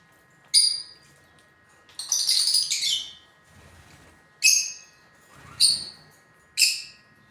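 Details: Pet lutino lovebirds making piercing squeaky chirps, single sharp notes and one longer scratchy chattering burst, repeated roughly every second with brief quiet gaps.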